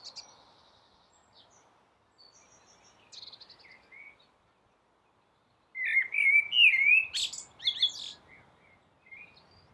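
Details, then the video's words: Song of a blackbird on a rooftop: mostly quiet with faint high chirps, then one loud burst of fluty warbling that ends in a squeaky, high twitter, followed by soft distant notes. "Blackbird singing"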